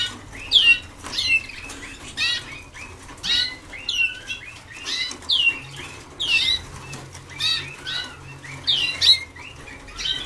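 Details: Waterslager canaries only days into song training in 2010: rhythmic series of curved, falling notes in short phrases roughly every second, with quieter twitters between and low hum beneath.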